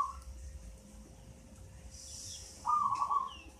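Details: Eight-month-old local zebra dove from a mango-tree nest sings one clear, quickly trilled coo phrase near the end, following a clipped fragment at the start, with soft chirps of other birds around.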